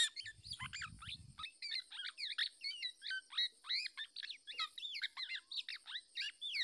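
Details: Black-naped oriole parent fending off a male that attacks and tries to seize its chick: rapid run of sharp, scratchy chirps and slurred notes packed closely together, with a brief low rumble near the start.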